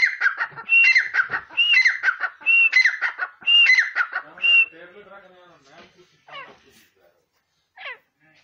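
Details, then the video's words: Grey francolin kept without a cage calls for the first half: four or five loud phrases, each with a whistled note and harsh chatter. Then the calls stop and human voices and faint sounds follow. "grey francolin voice without cage | seeti pr bolne wala teetar"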